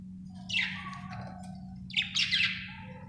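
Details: Happy budgie chirping: two loud harsh chirp bursts with softer tonal warbling threaded between, over a constant low hum.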